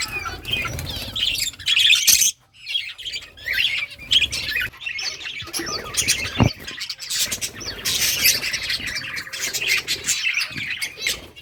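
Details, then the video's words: A colony of budgerigars playing in summer breeding season, August; busy overlapping high chirps and chatter, broken by a brief pause and bursts of wingbeats and rustling. "budgies beautiful colors playing and chirping"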